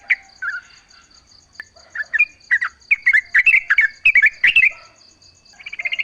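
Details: Yellow-vented bulbul recorded in natural surroundings, used as a lure to make other bulbuls sing back: bursts of bubbly, warbled chattering notes, livelier toward the middle, over a steady pulsing high insect-like tone.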